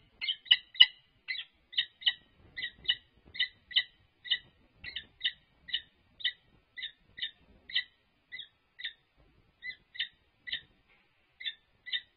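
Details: Courtship display by a resident peregrine falcon pair at UC Berkeley: a long run of short, clipped, scratchy notes, often doubled, repeated rapidly and fairly evenly, gradually spacing out toward the end.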